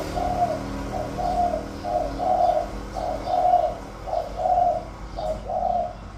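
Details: A caged spotted dove, a decoy bird noted for good cooing, gives soft, low, hollow coos in a steady run of short phrases, about one each second, over a faint background hum.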